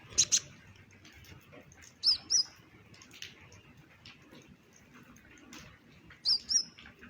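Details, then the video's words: Olive-backed sunbird, the brown-breasted kind, singing actively with varied phrases: short high double chirps spaced a few seconds apart over a faint hissing background. "KONIN Kolibri Ninja DACOK Dada Coklat GACOR beragam tembakan || CHIRPING SOUND ||"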